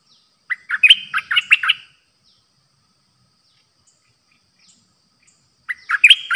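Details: Streak-eared bulbul, a newly trained caged decoy bird recorded 6 May 2022, singing pure 'dok' song: a burst of six or seven quick warbled chirping notes, a long pause, then another chirpy burst.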